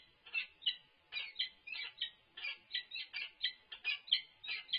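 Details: Harsh peregrine falcon calls from the UC Berkeley nest during a food delivery on 3-6-24. The clip opens with uneven, grating notes that grow more regular and closer together toward the end.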